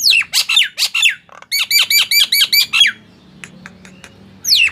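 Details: Nias hill myna singing to trigger song in silent mynas: quick falling whistled squawks, then a rapid even series of bright notes, faint clicks and a final sweeping call.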